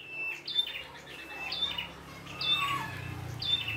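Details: Wild red-headed prinia giving high whistled notes with short buzzy tails, spaced about once a second, over a steady low background hum.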